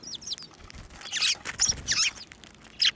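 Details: Sparrows flying to a hand for food at a Tenmangu shrine, 11 March 2024: a few thin curving notes, then loud harsh chirp bursts with soft fluttering or rustling beneath.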